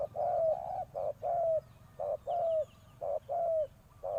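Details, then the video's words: Cooing of a decoy spotted dove used to lure wild birds. Loud, resonant paired notes, short then long and gently falling, repeated every second or so, with faint bird twitters behind. "chim cu mồi gáy gọi bổi"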